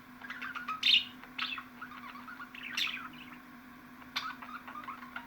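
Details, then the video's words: Budgerigars chattering for pet birds to hear: bright squawky bursts rising and falling among softer warbling chirps, a sharp click near the end, low mains hum in the background. "MUHABBET KUŞUNUZ ÇILDIRACAK,MUHABBET KUŞU SESİ"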